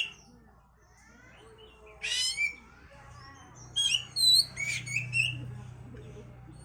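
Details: Oriental magpie-robin song used to raise breeding urge: scattered harsh, buzzy bursts and short bright whistles, fairly quiet, against a steady low hum.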